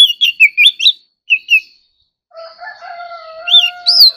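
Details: Oriental magpie-robin singing in contest: quick whistled slurred notes, a pause, two more whistles, then a low steady drawn-out tone with a couple of bright high whistles on top.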